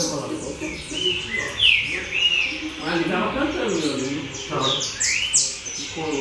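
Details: Coleiro singing within a circle of other coleiros: bright whistled notes and quick sharp slurs sweeping up and down at high pitch, with a person speaking partway through.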